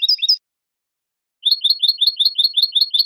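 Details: European goldfinch giving basic song in the bibleos martilleados style: a short twittering fragment, a pause, then a fast run of repeated high chirping notes, bright and evenly hammered, in a quiet setting.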